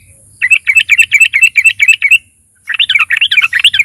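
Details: Fighter-style lure song of a yellow-vented bulbul: a quick string of about a dozen bright, slurred warbling notes, a brief pause, then another hurried, jumbled bubbling phrase.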